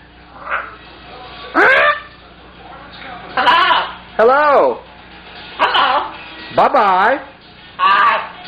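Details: Pet scarlet macaw talking to its owner indoors: loud, harsh, raspy utterances with arching, wavering tones, given in short bursts every one to two seconds with quiet gaps between.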